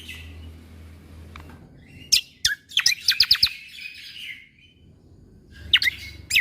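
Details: Greater green leafbird (cucak kombo) singing a 'tembakan' training song for young shamas: a pair of sharp high strokes, a quick rattling run of piercing notes fading into a buzzy tail, then after a pause, more sharp notes.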